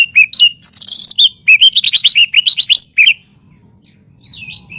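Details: Master recording of White-rumped shama song for bird training: a chattering burst followed by quick upward-sweeping whistles in a row, then silence with soft hum.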